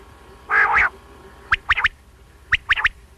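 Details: Common quail (batair), sounds used for morning and night hunting: one low nasal double grunt, then two sharp three-note whistled phrases, each about a second apart.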